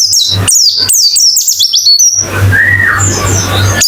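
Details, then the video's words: Therapy song of a white-eye, played fast to coax ngalas open-beak singing: two seconds of rapid, shrill, descending whistled notes, then a hissing background with one soft arched whistle, under a low hum. "Terapi Pleci Cepat ngalas buka paruh"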